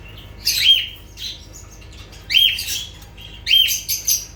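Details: Three loud lovebird outbursts, each a harsh, shrill squawk with a piercing whistled edge, spaced about one to two seconds apart, with softer chirps trailing.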